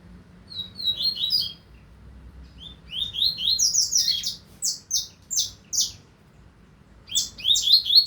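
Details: Coleiro (double-collared seedeater) recorded in the 2025 season, giving several song phrases over eight seconds: rapid rising buzzy notes, sharp repeated downslurs with short pauses, and a final burst of bright high notes.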